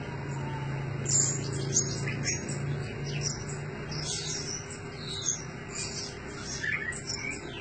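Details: Blue-crowned hanging parrot used as a decoy bird: thin, very high squeaky chirps in irregular bursts over a steady low hum throughout.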